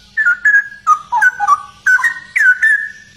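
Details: Cucak rowo, the straw-headed bulbul, pours out a continuous run of loud, mellow whistled notes, each phrase slurring and bubbling, dropping and rising in quick succession with brief gaps.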